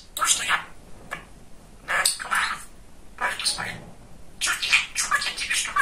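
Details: Chatty young male budgerigar at home mimicking speech: four clusters of hoarse, high-pitched word-like chatter separated by short gaps, in a small quiet room.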